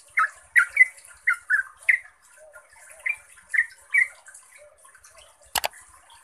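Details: Yellow-vented bulbul, a lure recording meant to make other bulbuls answer, singing scattered bubbly, gurgling notes in short bursts with gaps, then a sharp click near the end.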